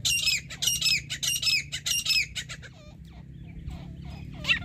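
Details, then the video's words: Grey francolin call recorded during partridge hunting: a run of harsh high squawky phrases about four per second, then fading to faint scratchy notes over a steady low hum. "grey francolin/partridge"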